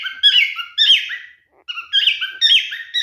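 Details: Pet male cockatiel singing while courting: bright whistled phrases with upward and downward slurs, separated by a short silence midway, sounding from a small indoor room.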